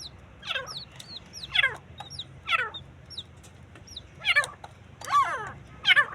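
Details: Partridge (teetar) fighting: harsh, raspy calls sliding downward, about six bursts roughly once a second, with thin high whistled notes scattered between them over a low background hum.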